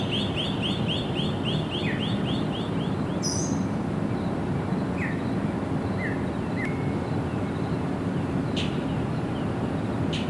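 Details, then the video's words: A sparrow chirps in a quick run of bright, repeated notes, then gives scattered single chirps with some higher thin notes, over a steady low rumble. "Sparrow Birds Sound effects"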